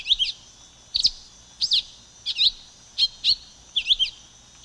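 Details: High, piercing chip notes of a silver-beaked tanager, mostly doubled, repeated about every seven tenths of a second in a quiet setting.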